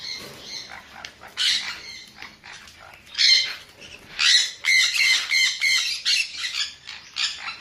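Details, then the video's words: Sun conure screeching in strident bursts that grow denser after three seconds, the harsh calls repeated about once a second. "เสียงนกแก้วซันคอร์นัว Conure Sounds"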